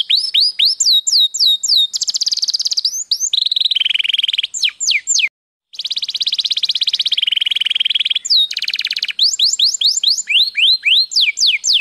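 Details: Belgian canary singing at length: loud, high song mixing repeated rising-falling whistled slurs with long fast buzzy trills and rolling tours, one brief pause midway.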